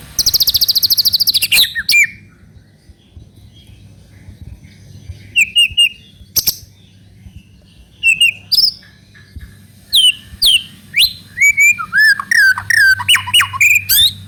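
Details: White-rumped shama song played as a lure to prompt another bird to sing: a buzzy high trill, then scattered sharp whistled notes and rapid varied phrases, growing denser toward the end, with a low hum beneath.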